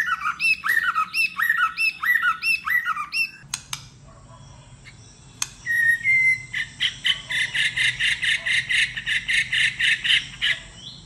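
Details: White-rumped shama in competitive singing: rhythmic repeated arched whistled phrases, a pause with clicks, then a fast even train of buzzy notes.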